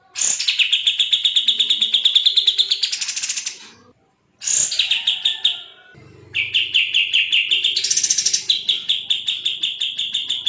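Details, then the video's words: Fast, rapid-fire bulbul song used as training audio for caged songbirds: long runs of tightly spaced, buzzy repeated notes that start with a high downward slur, hold steady, then climb briefly higher before settling again, with one brief silent break. "BURUNG KAPAS TEMBAK GACOR SPEED RAPAT"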